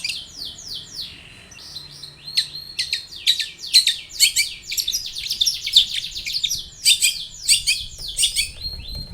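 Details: Long-tailed shrike song used as a lure to make other shrikes sing: rapid varied bursts of high chattering and scratchy notes with downslurred whistles, dense and fast-paced, with faint low hum beneath.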